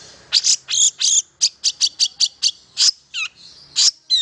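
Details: Long-tailed shrike song played to stimulate silent shrikes into singing: a quick series of short, bright, high chirps, mostly evenly spaced, with a few downward-sliding whistled notes near the end.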